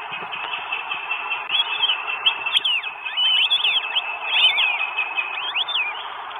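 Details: Northern goshawk recorded in Estonia, 12 May 2022, as a bird arrives with food: a dense, overlapping chorus of thin whistled arcs builds after a quieter start, with a faint steady tone underneath.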